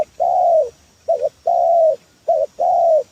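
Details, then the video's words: Spotted dove used as a trapping lure: long drawn coos alternating with short notched double coos, soft and low, roughly one phrase per second. "Suara pancingan tekukur"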